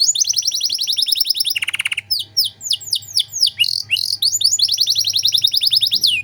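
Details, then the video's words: Tutor song of a canary singing nonstop in luxurious 'cengkok mewah' style: a fast high trill, then a brief buzzy burst, then downward-swooping whistled notes and renewed rapid rolling trills. "Masteran Kenari Gacor Cengkok Mewah untuk Burung Bahan"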